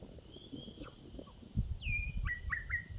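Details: Australian butcherbird giving clear, fluted whistles: a long level note, then a falling slur and a quick run of short piping notes, over low rumbling background noise.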